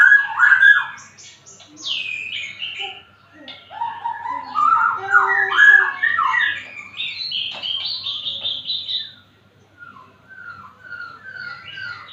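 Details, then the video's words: Magpie-robin undisturbed by small children playing nearby sings varied whistled phrases, swooping notes and quick chirping trills in separate bursts, with soft background noise between phrases. "Murai suara mantap"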